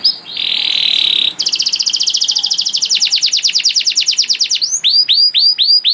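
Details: Canary song with special phrasing, played as a master to train young canaries. A steady buzzy note is followed by a very fast, evenly pulsed trill lasting several seconds, then closes with a few loud, rising, hooked whistles.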